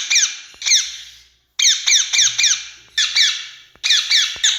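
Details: Loud piercing squawks of an Indian ring-necked parakeet, paired and tripled notes slurring downward, repeated in bursts with brief quiet gaps and a faint hum.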